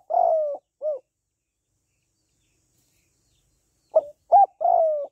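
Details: Cooing of a female spotted dove used to stimulate males: the tail of a phrase with a long burry coo and a clipped arched note, a silent gap of about three seconds, then a new short, rising and long coo sequence.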